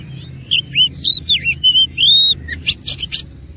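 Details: Oriental magpie-robin in fighting song, a run of looping, wavering whistles each about a quarter second, ending in several harsh buzzy bursts.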